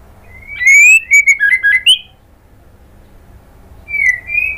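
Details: White-rumped shama female in kretekan, calling a male: a fast burst of clear rising and falling whistles for about one and a half seconds, silence, then another rising whistle begins.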